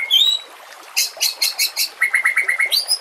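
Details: White-rumped shama singing over stream sounds, a recording meant to train captive shamas: a clear rising whistle, then a burst of harsh, noisy chatter notes, then a fast string of about eight repeated sharp notes ending in a high whistle.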